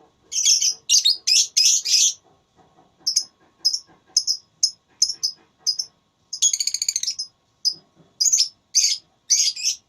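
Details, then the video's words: Lovebird in a singing contest delivering bursts of harsh high chirps, quick clusters then spaced single notes, with a rapid stuttering trill midway. "Lovebird Tarung Suara"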